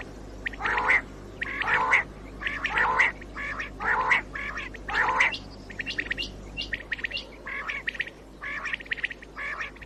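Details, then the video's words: Common quail calling, recorded in 2019 for use in luring quail on a morning hunt: short, harsh, stacked notes in tight clusters, repeated about once a second, with the last seconds fainter and more scattered. "COMMON QUAIL CALLING 2019 BATAIR KI AWAZ SUBA KI SHIKAR KI LIYE"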